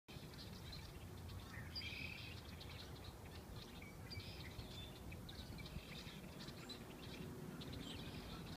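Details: Red-winged blackbirds in a tree bordering wetlands at Heard Natural Science Museum & Wildlife Sanctuary, Texas, give scattered sharp chips and a few short buzzy, slurred notes over a steady low rumble of wind and background noise.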